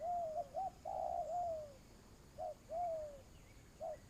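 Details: Decoy spotted dove for trapping giving low coos: a run of short notes into long downslurred coos, then isolated short coos spaced about a second apart, faint higher bird calls behind.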